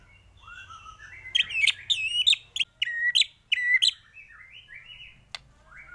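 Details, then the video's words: White-rumped shama in full varied song, used to train other birds: sharp whistled notes with bright high overtones in quick pairs, softer gliding whistles between, a faint low hum underneath. "MURAI BATU gacor full isian varasi paling cocok untuk masteran burung cepat bunyi gacor"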